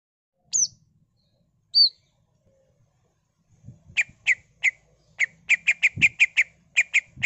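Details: Greater green leafbird singing vigorously in a song described as full of mimicked fills and rapid ngentrok phrasing: two thin high whistles, then a fast run of sharp, clipped ticking notes repeated about four to five times per second.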